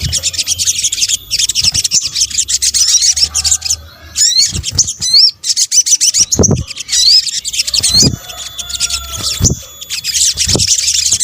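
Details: Combined sunbird calls for luring: long runs of rapid, high, buzzy twittering interspersed with clear sliding whistles and a thin steady tone, plus scattered low thuds.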